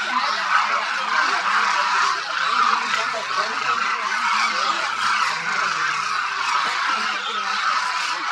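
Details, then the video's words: A vast winter flock of Demoiselle Cranes at Khichan, Rajasthan, India, calling constantly while feeding; steady wall of overlapping nasal, trumpeting calls, with faint lower murmuring underneath throughout. "The sound of thousands of Demoiselle Cranes echoes across Khichan Village, Rajasthan"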